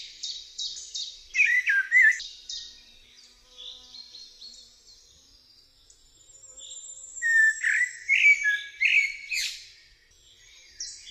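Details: Eurasian blackbird song: varied phrases of clear, warbled notes with high twittering endings, in two bursts separated by a quieter pause; faint higher chirps from other birds in between.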